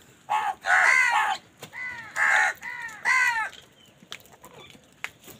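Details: Crows squabbling over food give loud, hoarse, drawn-out caws, four harsh calls each about half a second long, closely spaced in the first three seconds, then a few faint clicks and taps.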